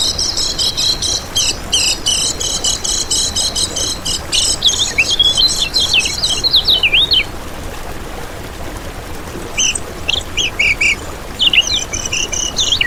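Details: Lemon-bellied white-eye singing, used as bait to attract and train others: dense high buzzy trills give way to short falling whistles, a pause, then more bright twittering phrases.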